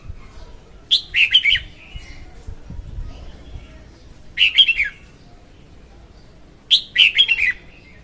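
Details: Female red-whiskered bulbul song for trapping: three similar phrases of quick, slurred, warbled whistles, each ending in falling notes, repeated about every three seconds.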